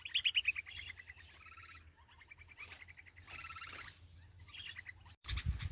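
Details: Hungry sparrow nestlings calling for food from a parent in the nest: bursts of thin, high, rapid chirps and short trills, repeated in clusters over several seconds, ending with a brief dull thump.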